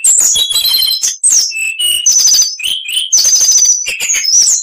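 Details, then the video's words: Continuous, richly varied oriental magpie-robin song of fast trills, buzzy phrases and short whistled slurs shifting between high and middle pitches without a break. "MASTERAN KACER .MATERI FULL ..awas nanti burung anda ikut gacor.!!"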